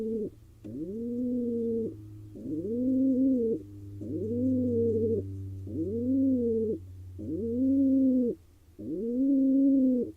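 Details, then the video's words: Wild male pigeon cooing in courtship of a female inside an Israeli nest box; six even, arching low coos of about a second each, regularly spaced, over a low droning hum. "Pigeon male courts a female"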